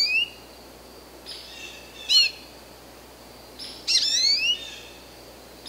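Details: American goldfinch with scattered high, thin call notes: a brief chirp, a short upswept note, then a longer run of wavering whistled slurs, with quiet gaps and low background hiss between them.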